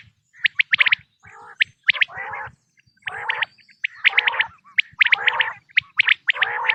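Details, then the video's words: Natural quail call for hunting, 2026 season: bursts of sharp, quick chirps mixed with lower, buzzy, rattling notes, repeated in dense clusters roughly every second. "بٹیر کی آواز"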